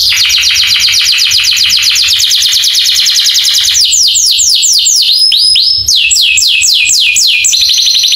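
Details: Canary master song intended to trigger other canaries to sing: a long, fast, even trill, giving way to a string of loud descending swooping whistles.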